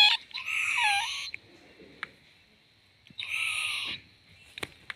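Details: Owlet, a young owl shown swaying, gives two harsh, raspy, hissing screeches. Each lasts about a second, and they are spaced about two seconds apart. Sharp clicks follow.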